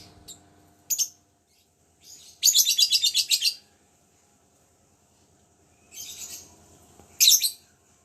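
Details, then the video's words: Caged lovebird, recently recovered from a cold, tested to see whether it still chatters readily: brief high shrill chirps, then a rapid pulsed burst of harsh chatter lasting about a second, followed later by two more short shrill bursts. "Suara burung"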